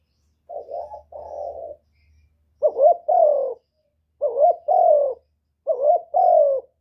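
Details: Cooing spotted dove used as a lure to stimulate birds, four phrases of a quick quavering note and a longer rounded coo, spaced roughly every one and a half seconds, faint low hum early on.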